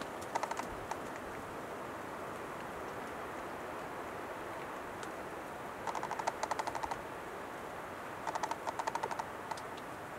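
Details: A wild male Western capercaillie displaying and singing at dawn gives dry, wooden clicks in three short runs, each quickening like tapping keys, over a steady background hiss.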